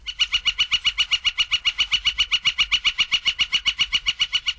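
Northern Flicker giving a long, even series of loud, ringing notes, nearly four per second, steady in pitch throughout, against a quiet background.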